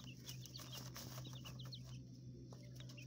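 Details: Young coturnix quail inside an indoor enclosure in a small urban hotel room: brief high cheeping notes repeated quickly in little runs, with a loud steady low electrical hum and some rustling throughout.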